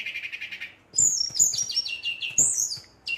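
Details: Brown-chested jungle flycatcher singing to provoke other males: a brief buzzy note, then rapid high warbling trills that step downward, with a second bright burst near the end.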